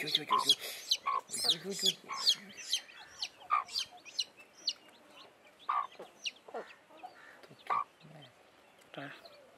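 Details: Freshly hatched chicks beside their blackish mother hen: rapid, bright, piercing chirps in irregular bursts, about two per second, with occasional soft low clucks underneath.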